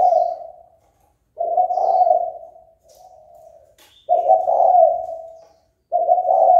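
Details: Spotted dove giving repeated soft, husky coos to stir others into fighting, four to five sustained low notes in close succession with brief gaps and a faint click midway.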